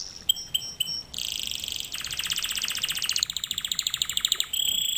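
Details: Canary singing in a lesson recording meant for canaries to learn: a few short high chirps, then a long fast rattling trill that shifts pitch midway, ending in a steady high whistled roll.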